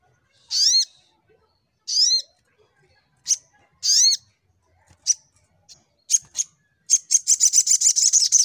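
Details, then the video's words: Full-fighter Little Spiderhunter (sogok ontong) singing 'nembak': a few strong high down-slurred chirps, then quick scattered ticks building into a fast rattle of repeated high notes at the close. "Burung SogokOntong N3mbak Full Fighter"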